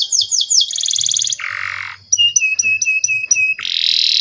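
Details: Canary song for tutoring young canaries: a few falling whistles, a fast buzzy trill, a harsh rasping burst, then a series of paired clipped chirps and another rasping buzz.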